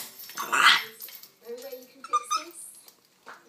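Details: Pet male African grey parrot, camera shy and recorded from a distance, gives a short loud raspy squawk followed by softer chattering, murmured sounds and a few brief clicks.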